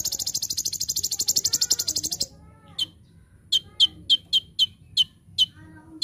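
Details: Olive-backed sunbird (konin) master song: opens with a fast shrill rattling trill (tembakan) about two seconds long, then a pause and a series of sharp, high, downward chips at quickening pace.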